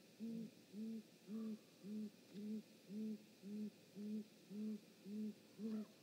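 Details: At a Great Gray Owl nest on 19 March 2018, around 19:32, as the parent pair visits, a great grey owl gives a steady series of eleven deep, soft hoots, about two per second, otherwise quiet.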